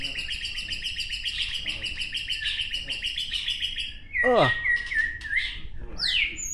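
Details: Caged white-rumped shama, a bird caught in the Gayo Lues area in 2019 and moulted once, singing at a group training session in Aceh: long rapid buzzy trills, then clear whistled notes and a sharp downward sweep, amid background noise.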